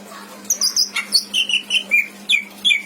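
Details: Captive pet greater green leafbird from Indramayu, kept as a tutor for other songbirds, sings a rich mimicked repertoire: a string of about nine clear whistled notes, several sliding downward, spaced roughly a quarter second apart over a faint steady hum.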